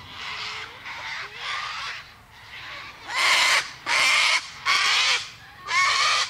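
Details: Cockatoo screeching: seven harsh, grating squawks about one per second, the first few softer and the last four much louder and more piercing.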